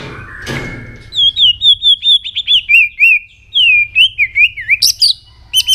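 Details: White-rumped shama singing in the morning during voice training: a run of bright whistled notes, wavering and slurred, mostly falling then rising, delivered in quick succession, ending with sharp high chipping phrases.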